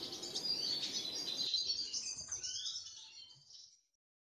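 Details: Double-dilute mutation Eurasian siskin singing a fast, high twittering warble with a drawn-out wheezy note near the end; a low background rumble fades after the first second and a half.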